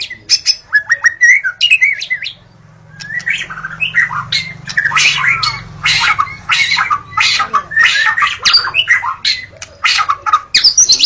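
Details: White-rumped shama (murai batu) recorded in the forest, singing loud, varied phrases of sharp whistles, rapid chattering notes and harsh squawks in dense bursts, with a brief pause near two seconds and a low hum beneath.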